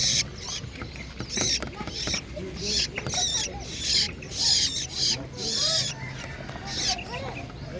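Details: Long-tailed shrike singing: a busy run of scratchy, harsh chattering bursts mixed with short squeaky chirps, loud noisy pulses arriving about every half second over a steady low background hum.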